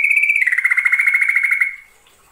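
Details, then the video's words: Yellow-vented bulbul (trucukan) gives a fast, bright chatter of quick high notes dropping into a rapid, buzzy rolling trill over a second long, in the ngekek, nggaruda and ngerol song styles. "Burung trucukan NGEKEK + NGGARUDA + NGEROL"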